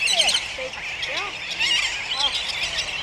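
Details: A dense colony of sooty terns at Johnston Atoll on 19 June 2001, with many harsh, nasal, rising-and-falling calls overlapping continuously in a noisy chorus.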